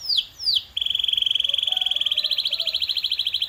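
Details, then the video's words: Canary singing as a training sound: two quick downward-swooping notes, then a long, very rapid pulsed trill held on one high pitch, growing louder toward the end. "This Sound Will Make Your Canary the LOUDEST in the Neighborhood"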